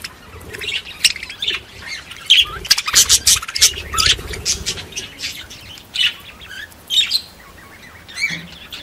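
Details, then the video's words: Parakeets chirping and squawking in bursts of high, sharp notes with short tweets and scratchy chatter, loud peaks spaced irregularly, faint low background rumble. "Chant perruches | Bruit de Perruche"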